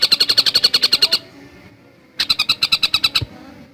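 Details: Javan cuckooshrike singing in a fast, tightly packed style: a burst of about a dozen sharp, high repeated notes lasting just over a second, a pause, then a second burst of similar notes.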